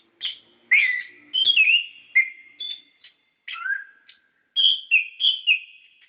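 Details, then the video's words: Sweet whistled phrases from an orange-headed thrush, played so caged birds respond; notes slide downward and are sustained, interspersed with brief high chips and pauses. "Pancingan Suara Burung Anis Kembang Gacor Ngeplong Ngerol"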